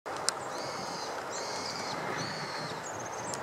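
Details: Female long-tailed rosefinch (Uragus sibiricus) giving thin, high whistled notes, drawn out and repeated about every second, over steady rushing wind or distant traffic; recorded 7 February 2014.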